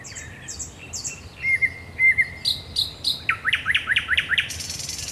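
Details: Thrush nightingale singing at night at the Raszyn Ponds on 10 May 2021: high descending whistles at first, then long level piping notes, then a fast series of loud clicking, rising notes ending in a dry buzz.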